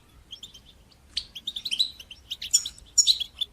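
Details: European goldfinch song in the bitbita and sitsita style, used to stimulate goldfinches and teach young birds to sing: soft high twitters at first, then rapid liquid tinkling and buzzy trills from about one second on, growing louder toward the end.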